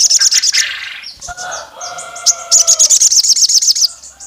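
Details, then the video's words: Female olive-backed tailorbird calling to the male, meant to rouse rival males: rapid, piercing high notes open and close the recording, separated by a pause filled with softer, lower drawn-out whistles of other birds. "SOGON GACOR MIRIP SUARA BETINA MEMANGGIL JANTAN LAWAN LANGSUNG EMOSI NGAMUK NEMBAK PANJANG"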